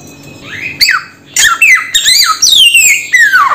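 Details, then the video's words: Samyong bird makes a rising squeak, then a burst of loud, shrill squawks and a long, drawn-out whistle sliding steeply downward. "Suara Burung SAMYONG"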